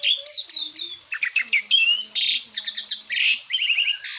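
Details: Master training recording of an Asian pied starling: quick series of high whistled and squeaky notes in short bursts, with slurred chirps and a brief rattling trill near the end, over a faint low hum.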